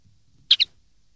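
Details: Common linnet song used to teach young linnets, from 2013: a single brisk two-part twitter, bright and very short, over a quiet background.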